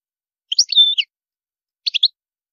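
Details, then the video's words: European goldfinch song in a high style: a twittering phrase that holds a thin level whistle in its middle, then after a pause a tight triplet of bright chirps. There is silence around it. "تغريد الحسون جميل دو مقامات عالية"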